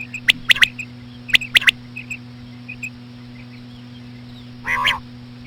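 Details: Common quail female sounds, slow, used to lure quail; crisp clicks in pairs and threes early on, scattered soft chirps, then one nasal harmonic call near the end, with a low hum.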